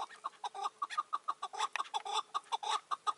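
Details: Chukar partridge at a roof trap in May 2024, a wild old bird answering a caged decoy: crisp, evenly spaced clucking notes, roughly five per second, with a faint steady hum underneath.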